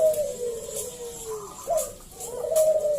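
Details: Local Zebra dove singing, recorded as a lure for other doves: a long, gently falling coo, a brief pause, then a rising flick leading into another wavering coo.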